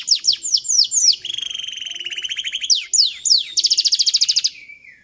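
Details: Canary master song for training young birds toward long rolling song: descending slurred whistles alternate with sustained rapid trills of evenly repeated high notes, two long rolls standing out clearly against a quiet background.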